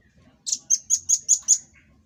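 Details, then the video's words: Red-billed rambatan (velvet-fronted nuthatch) in a master recording for training cage birds, giving its typical 'tembakan' burst: six sharp, high, clipped chip notes in quick even succession, about five per second, over a quiet background. "Tembakan Dan Suara Khas Burung Rambatan Paruh Merah"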